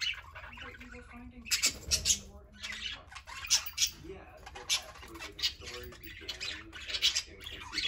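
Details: Two or more parakeets playing together, filling the room with rapid, raspy squawks and chirps, repeated bursts almost without pause over steady chattering warble.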